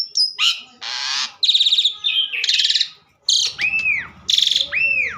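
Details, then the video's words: Asian pied starling in lively song, with harsh noisy squawks, dense buzzy rattles and clear arched whistles that rise and fall, delivered in quick irregular phrases. "burung jalak suren super gacor"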